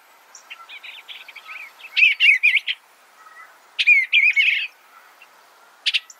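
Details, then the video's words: Faint soft notes lead into two clearer Eastern bluebird warbled phrases a couple of seconds apart, ending with a brief chip. "Suara Burung Eastern Bluebird - Eastern Bluebird Bird Sound"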